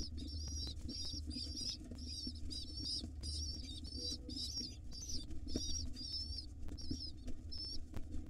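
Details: Mother pigeon feeding her hungry wild nestlings in a nest box; the young give repeated piping squeaks in short wavering bursts, pausing briefly between groups, with a continuous low hum behind.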